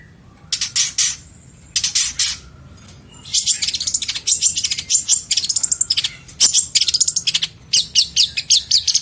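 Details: Long-tailed shrike in rich, varied song meant for tutoring other songbirds: scratchy, buzzy high bursts alternating with fast repeated chips and rattling trills, a few brief pauses between phrases, faint low background hum.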